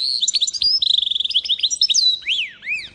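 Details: Singing goldfinch mule, a hybrid of goldfinch and canary, 2022: a quick string of evenly repeated high chips rolling into a trill, then several rising-and-falling arched whistles.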